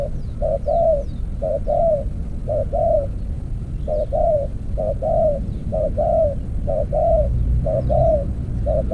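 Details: Spotted dove used as a decoy in an earthen trap cage: low, mellow cooing in pairs, a short note followed by a longer falling coo, repeated about once a second over a steady low rumble, with faint high chirps from other birds.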